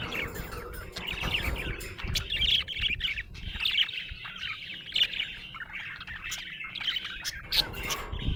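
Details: Happy budgerigar keeps up a lively stream of chattering chirps, short whistles and slurred warbles, loudest in bursts every second or two, with some low rumbling and rustle underneath.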